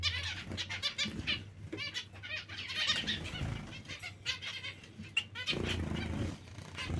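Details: Run of nasal, stacked beeping calls from several zebra finches, with bursts of rustling and flapping noise at the start, middle and end.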